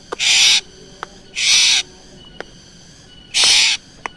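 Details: Black drongo lure recording: three harsh, rasping screeches, each about half a second long, separated by faint clicks and quiet gaps.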